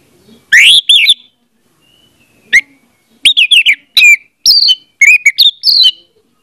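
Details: Orange-headed thrush song meant to coax a silent bird into singing: a loud rising-falling whistle, a pause, then a lively string of varied whistles, trills and slurred notes.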